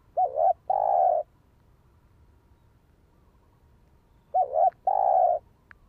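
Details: Spotted dove cooing, played to stimulate and train decoy birds: two matching phrases, each a wavering double note then a long even coo, separated by about three seconds of quiet.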